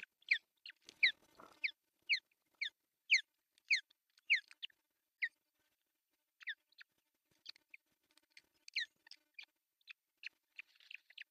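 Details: At an artificial nest in Pohjois Satakunta, Finland, on June 10, 2024, an osprey calls as the male delivers a big fish for breakfast. Loud, clear, descending whistled yelps repeated about twice a second, pausing, then resuming more scattered.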